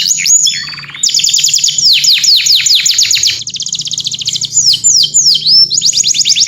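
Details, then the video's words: Calling to its companion, a canary pours out long chains of rapid falling notes and rattling trills, clear and continuous with brief pauses. "O SOM DE UM CANÁRIO CHAMANDO SEU AMIGO, VOZ CLARA"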